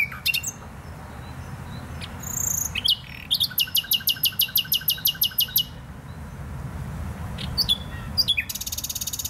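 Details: In Poznań's Botanical Garden, Poland, a nightingale delivers a long rhythmic series of loud repeated notes, about two seconds of steady pulses, then varied chirps and a final fast buzzy trill.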